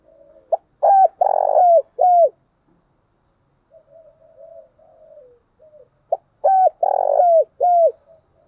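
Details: Spotted dove used as a lure bird, a female said to excite wild males, cooing in the mixed thúc gù and gáy gọi styles: two bouts of low tonal coos, a short note, then a longer rolling coo and a falling note, with soft murmured coos between.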